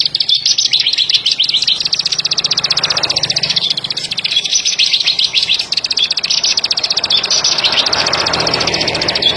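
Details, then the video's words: Plain prinia (ciblek padi / ciblek sawah) calling with a fast, sustained stream of sharp high clicks forming a buzzy rattle, with a faint hum and occasional background noise. "Kicau ciblek padi / ciblek sawah"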